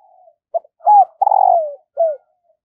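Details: Decoy spotted dove in the morning, calling to draw in wild doves: a soft lead-in, short clipped coos, a long rough falling coo, then one last sliding coo.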